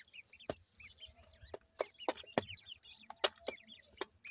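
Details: Feeding grey francolin chicks chirp busily, with many high, bent peeps overlapping one another, broken by loud sharp knocks.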